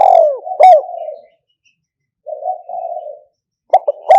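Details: Spotted dove, '1 kuk' style 'kham khu kham, khu kom', for lure playback, 2022: a falling coo and a ringing note running into a level coo, a pause, a soft double coo, then clipped loud notes returning.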